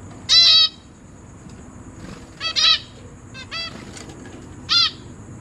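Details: Zebra finch parents and young in a cage, September 2023. Loud nasal calls with stacked overtones come singly and in pairs, about one every second or so, separated by silence.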